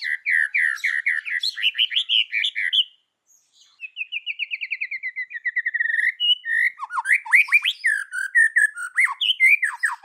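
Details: White-rumped shama singing in the forest voice: rich tumbling whistles, a brief pause, a long rattling trill in the 'kéo thuốc lào' style, then more swooping varied phrases.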